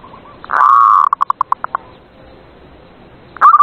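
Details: Zebra dove song played at night to coax lazy doves into singing: one long, steady mid-pitched cooing note, then a quick run of about seven short pulsed coos, a pause, and another coo beginning.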